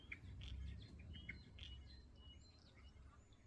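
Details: Common starling song of scratchy bursts and brief whistled notes packed closely together, fading into sparse high thin whistles, against steady low background noise.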